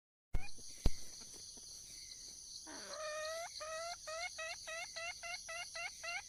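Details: Wild junglefowl hen seeking a mate: a few dull knocks and thumps at first, then a quick, regular series of short upward-sliding harmonic calls, about two per second, over a high insect hum.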